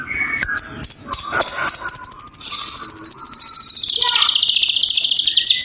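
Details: White-rumped shama, a champion bird, opening with a few short notes, then a long, very high, fast rattling trill that slowly falls in pitch over several seconds.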